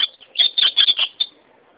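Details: Ultramarine grosbeak song fragment: a short, loud string of four or five bright high warbled notes in quick succession, closing with a single clipped note.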